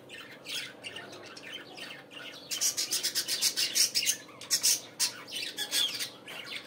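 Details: Morning budgerigar chatter. Quieter scratchy notes at first give way to a fast, continuous run of loud raspy squawks and chirps from about halfway, over a low steady hum.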